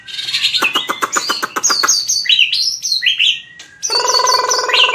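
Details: White-rumped shama fighting song, used for training a bird's voice: a fast run of clicking notes, then whistled slurred phrases, a short gap and a buzzy harmonic passage with high whistles over it.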